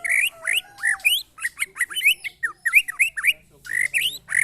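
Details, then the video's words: Caged white-rumped shama tested for fighting spirit alongside friends' birds; loud, varied song of rich whistled phrases, rising and falling slurs mixed with fast chattering notes, delivered in bursts with brief pauses. "test mental burung murai batu"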